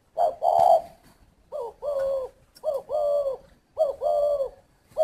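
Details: Spotted dove held at a bird garden near Ba Vì, Hanoi, Vietnam, cooing in a rhythmic series, each call a quick upward note followed by a rounded longer coo, evenly repeated.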